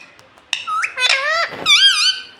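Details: Talking pet parrot said to say "mummy"; a sharp click, then a string of squeaky harmonic notes rising and wavering, ending in a wobbling up-and-down squeal.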